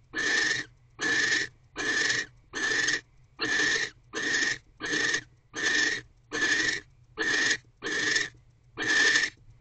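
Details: During mating in an owl box on Christmas evening 2023, with the female barn owl holding a freshly delivered rodent, loud raspy hiss-screeches pulse steadily, about one every 0.8 seconds, eleven in all.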